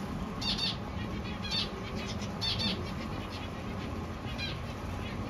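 Zebra finch chicks give raspy, buzzy calls in short bursts, roughly once a second, over a low rumble.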